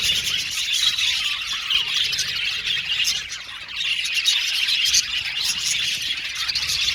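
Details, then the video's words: Aviary-kept male blue and violet budgerigars chattering in high, overlapping chirps and squawks; the chorus softens briefly past the midpoint before picking back up. "Beautiful budgies chirping sound"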